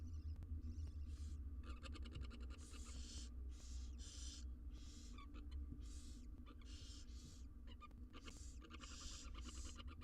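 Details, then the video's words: Begging barn owl nestlings, six wild young being fed inside a nest box, producing a crowded mix of fast clicking rattles and long breathy hisses that overlap almost continuously, with faint low hum. "All 6 barn owl nestlings get fed insnside nesr box"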